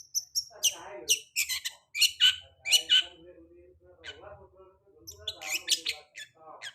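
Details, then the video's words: Long-tailed shrike lure song meant to get a bird singing again after molt: bursts of sharp, high, scratchy chirps and thin whistles that pause midway, with a quiet, low voice murmuring in between. "Pancingan cendet habis mabung pasti bunyi"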